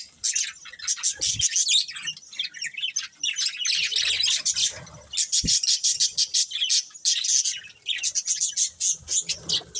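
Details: Pair of breeding budgerigars keeping up a steady stream of scratchy, high chirps and warbled chatter, broken into rapid pulsed bursts, with a faint low thump midway.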